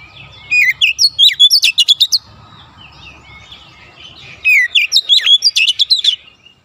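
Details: Oriental magpie-robin training song for untrained birds to sing rapid dense phrases: two long bursts of quick varied whistles and crisp chips, each roughly 1.5 seconds, with soft low rumble between them.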